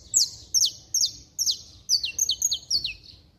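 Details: Saffron finch in full, hard song used to excite rival saffron finches: loud piercing chips falling steeply in pitch, given in a quick uneven series, some notes doubled, with a clean, quiet background.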